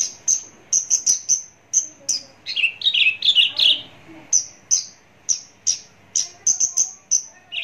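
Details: ['Javan bush lark song recorded close up: rapid, evenly spaced sharp high whistles, interrupted by a middle passage of lower, buzzy warbled notes, then more high pips.']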